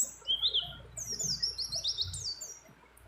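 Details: In breeding condition, a female white-eye calls to a male amid fill-in songs of many other birds. Rising whistled notes lead into high, rapid descending slurred phrases that fade toward the end, over soft low background rumble.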